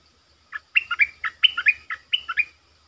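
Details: Streak-eared bulbul used as a lure bird to call in wild birds; a quick run of about ten bubbly, chirpy notes, each sliding between higher and lower pitch, over a faint low hum.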